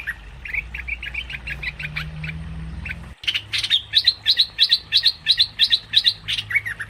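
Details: Cream-vented bulbul call played as a trapping lure: soft rising chirps at first, then after a short break a fast, regular series of bright clipped notes repeated about three times a second, with a faint low hum.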